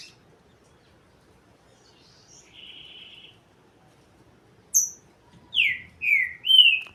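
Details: Green-winged saltator song: a soft buzzy trill and a high sharp note, then three strong whistled notes in quick succession, falling, level, then rising, loud against near silence.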